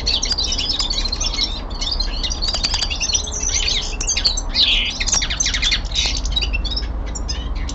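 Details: Common linnet in a home setting, singing an unbroken run of twittering chirps, nasal buzzes and quick slurred whistles, varied and rapid, over a soft background hum.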